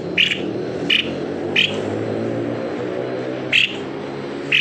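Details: White-necked babbler, recorded as a lure to get birds singing: five brief, clear notes on one pitch at uneven intervals of under a second to two seconds, against a low rumbling hum and hiss.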